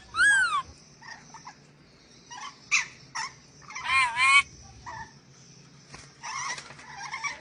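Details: Ornate lorikeet from Sulawesi on a tutor recording for training cage birds: an opening descending squeal, scattered chattering notes, a loud grating double screech midway, then softer rasping chatter.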